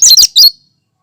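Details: A cucak kinoi gives a single loud, high phrase of its natural song, free of mimicry. Three quick chirped notes follow one another within half a second, then there is silence.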